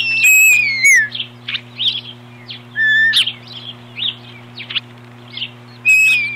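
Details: Osprey at the nest on 21 April 2015, defending against an intruder: repeated long falling whistles alternating with short high chirps, steady low hum throughout.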